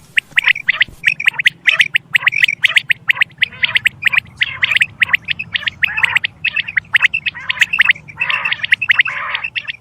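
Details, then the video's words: Quail sounds used to lure quail for hunting: dense, overlapping squawks and sharp chirps from several birds, nearly continuous, over a low background hum. "Batair ke shukar k Liye | Behtareen Awaz | sound Of | Quail Bird's sound"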